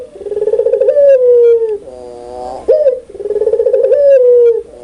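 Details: Spotted dove of the puter pelung type, loud and clear, repeats its call twice: a stuttering, throbbing start smoothing into a sustained low coo that slides down, with a short harsh note between phrases.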